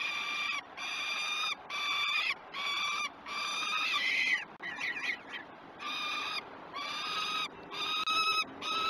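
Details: Peregrine falcon feeding at breakfast on a Great Spirit Bluff live cam, 21 June 2018, 09:07: loud, rasping, strongly harmonic wails repeated in a regular rhythm, with a brief burst of chattering, scratchy notes midway before the wails resume.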